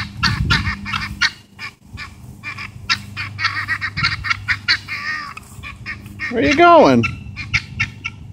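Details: A flock of helmeted guineafowl in a front yard yells at a dog, giving harsh, grating calls in rapid repeated bursts as they move in on it. A person's voice cuts in near the end.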